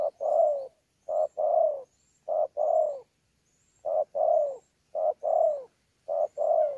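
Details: In Sa Thầy, Kon Tum on 26 November 2019, a wild-caught spotted dove sings contest cooing with bowing coos: six paired phrases, each a clipped hoot then a drawn-out downward-sliding note, roughly one per second.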